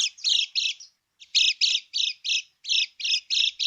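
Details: Harsh buzzy chatter of a lemon-bellied white-eye in the krekek style, a lure to make other birds answer; each rasping note is drawn out and separated by short gaps, with one longer break near one second.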